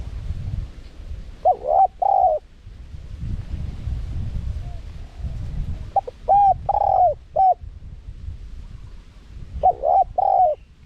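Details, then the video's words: Spotted dove with a small-voiced wild-style call for attracting wild doves. Three phrases of stuttering then sustained, softly wavering coos, spaced about four seconds apart, over low rumbling background. "เสียงนกเขาใหญ่ คารมป่า (เสียงเล็ก) มีขัด มีหนุน คูอ่าง ใช้สำหรับเปิดต่อ ยั่วนกป่าเข้าร่วมเร็ว"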